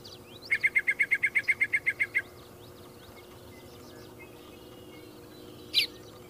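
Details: Yellow-breasted chat (Icteria virens): a rapid, even run of about fourteen short, sharp notes at one steady pitch lasting under two seconds, followed by silence and a single louder clipped note, over a faint steady background hum.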